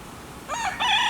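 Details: Rooster on a homestead crowing, a brief harmonic crow that rises and strengthens over its last half second before breaking off, against a faint steady background hiss.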